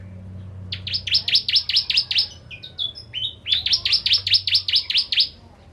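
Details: Javan bar-winged prinia, singing actively, two bursts of rapid, evenly repeated buzzy high notes, each series about two seconds long with a short pause and brief thin chirps between, over a faint low hum.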